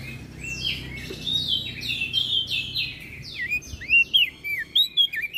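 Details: {'caption': 'Common iora and bar-winged prinia singing a gacor masteran song used for training cage birds: busy, high chirping with quick downward-sweeping and hooked whistled notes, growing louder and more spaced toward the end, over a faint low hum.'}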